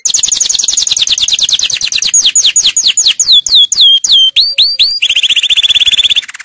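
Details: Canary song for teaching young birds: a rapid high trill slowing into falling sweeps, then looped swooping whistles, ending with a fast rolling lower trill.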